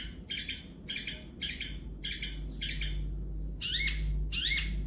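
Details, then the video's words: Long-tailed shrike, a bird kept for its fine voice, giving harsh, buzzy chattering notes in short bursts about every half second, then two rising, upslurred whistled notes near the end, over a low steady hum. "Burung cendet juara"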